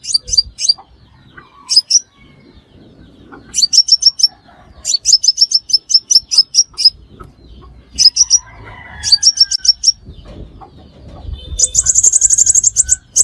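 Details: Crimson sunbird calling as a lure for trapping: repeated bursts of quick, thin, high-pitched chirps separated by pauses, ending in a dense, buzzy rattle of rapid notes.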